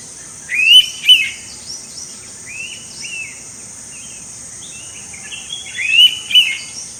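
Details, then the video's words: Indian pitta in Goa, India, in May 2021, giving a loud, clear two-note whistle, a rising note then a falling one, twice about five seconds apart, over a steady high insect hiss and faint chirps. "Indian Pitta Calling"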